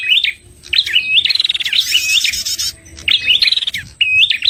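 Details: Prinia with a red head, played as a trapping lure: quick twittering chirps and a rapid buzzy rattle, in phrases broken by short silences.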